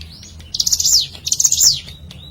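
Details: Natural lure sound of a hill prinia (ciblek gunung): two dense, scratchy high chattering phrases ending in downward slides, preceded by a thin rising whistle.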